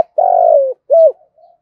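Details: Spotted dove cooing to stimulate other kept doves into calling; a long, slightly wavering coo sliding gently downward, then a short arched coo and a faint trailing murmur, no other sounds.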